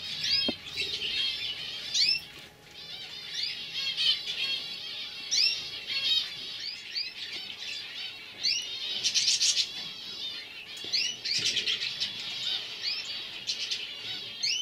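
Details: Several young canaries, 2015 birds, in continuous twittering song of fast repeated trills and chattering rolls, with sharp whistled sweeps and a short buzzy burst near the middle.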